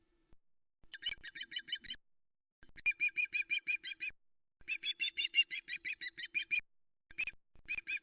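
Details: Female osprey on a wild nest in the Arkaig Community Forest, Loch Arkaig, on an afternoon of 26 August 2020, shouting as the male brings a second fish, a live mackerel; nest-camera sound. Bursts of rapid, shrill, piping notes come in quick runs separated by short pauses.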